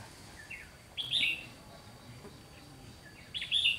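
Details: A soft lead-in note, then a loud warbled phrase, and another phrase about two seconds later from a trainee decoy red-whiskered bulbul luring wild bulbuls, 30 June 2020.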